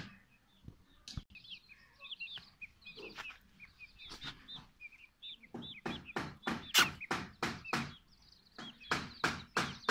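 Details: Silkie and Golden Sebright chicks giving scattered high, short peeps with upward-curving notes, often in twos and threes; in the second half a fast series of loud sharp taps or knocks, about three per second, takes over.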